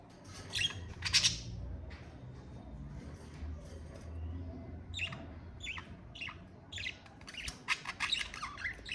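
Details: Pet budgerigars, called Australian parakeets, chattering in short bursts of high scratchy chirps and warbles. The bursts cluster near the start and again through the second half, over a steady low rumble of background noise.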